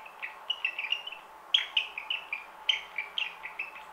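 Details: Thin, whistled parakeet chirps come in short clusters over a soft steady hiss, with louder sharp notes at about one and a half and two and three-quarter seconds.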